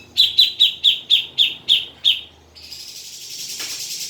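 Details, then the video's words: Grey-cheeked bulbul, played to stir a caged bird into song: a steady run of eight chattering, slightly ringing notes repeated roughly four times a second, giving way to a broad steady hiss. "pancingan cucak jenggot biar bunyi"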